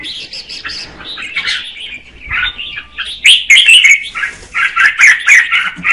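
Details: Female red-whiskered bulbul sings to stimulate the male; softer opening warbles build into louder, ringing, slurred phrases in the second half.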